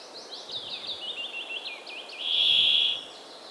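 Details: Rapid, jerky twittering of small birds fills the first two seconds, then a brambling cuts in with a single loud, flat, nasal buzz lasting about half a second.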